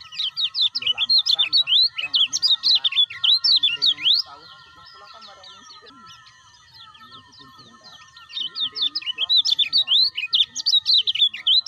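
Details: Kecial kuning, the lemon-bellied white-eye, in a recording meant to stimulate caged birds: long bursts of rapid, high, zigzagging chirps, a lull of several seconds around the middle, then the fast chatter returns.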